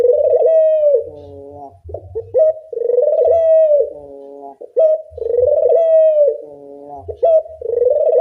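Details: Loud lure recording used to train Barbary doves to call: drawn-out, rich coos each lasting about a second, gliding down at the end, separated by short clipped rising notes and repeated steadily in a cycle.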